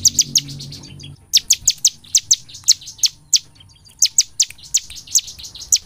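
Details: Bar-winged prinia in forceful, nonstop song, used to lure other prinias to sing day and night: after a second of low hum, a regular series of crisp, high, downslurred notes, some in quick pairs.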